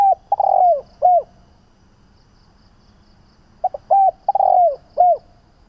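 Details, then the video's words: Repeated spotted dove cooing, played to lure doves and coax them to call: two phrases of short soft notes and long, mellow, downward-curving coos, with roughly two silent seconds between them. "Tiếng chim cu gáy gọi - Chim cu gáy kích bổi nhanh nổi hiệu quả - cu gáy tập bổi"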